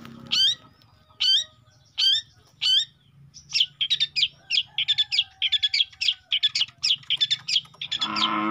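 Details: Juvenile long-tailed shrike: four spaced, rising squeaky-harsh notes, then a fast stuttering run of short scratchy chips for several seconds, ending in a burst of broad noise.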